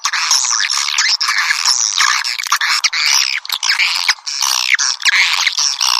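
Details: Piezo-version swiftlet calling track: steady, busy stream of high squeaky chirps and buzzy trills, overlapping sweeps that rise and fall without pause.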